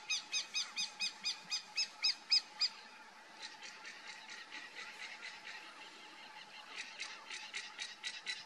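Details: Crane hawk at its lookout perch giving a fast run of loud, harmonic, nasal notes, about four a second, for nearly three seconds, then quieter, softer repeated series that overlap and continue to the end, over a steady faint hum.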